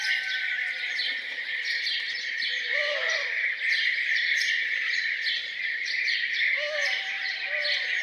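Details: Farmhouse birds in the morning, a steady wash of high chirping and twittering, broken by a few soft low hooting notes near the middle and end.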